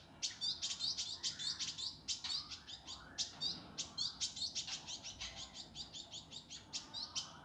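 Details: Indigo flycatcher in a master recording for training birds, sung in a rough, fast, dense style: a busy stream of high chirps and twittered notes, closely packed, with brief buzzy slurs between bursts.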